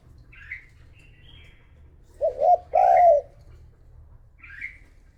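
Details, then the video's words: Decoy spotted dove calling to lure wild doves, with a pair of low, rounded coos in mid-recording, the second longer and drawn out, framed by faint high chirps before and after. "Cu gáy mồi thúc gù gọi bổi , kích cu gáy gù gáy"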